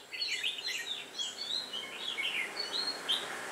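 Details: Decoy red-whiskered bulbul singing to draw wild birds during trapping on 8 October 2017: a dense, continuous run of bright chirping and warbled notes with no pauses.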